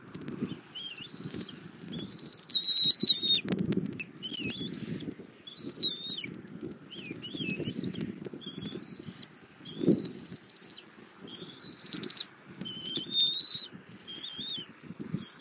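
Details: Over fifteen seconds a bald eagle eaglet fed by its mother on a Southwest Florida nest, 24 February 2024, utters a steady series of about a dozen squeaky, high whistled notes, with continual rustling and low wind noise.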